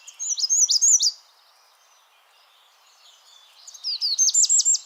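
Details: An American Redstart in Washington sings two bursts of high, thin, sibilant notes, each about a second, the second ending in sharper accented slurs. The song has three phrases, and the bird favours densely wooded willows and shrubs near water.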